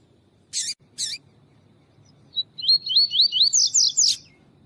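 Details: Double-collared seedeater of the tuitui song type, with a female call meant to stir up males: two sharp, broadband chips, a pause, then a rapid chain of looping high whistles that turns buzzier and ends in a chip.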